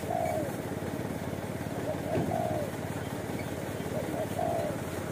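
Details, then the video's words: Wild street spotted dove at a watering post in Indonesia, target of a luring session, giving its 'kuk satu' style coo: short cooing phrases with a drawn-out final note, masked by steady engine rumble. "FULL KUK SATU‼️TEKUKUR JALANAN GAR4NG DAN PEMBERANI"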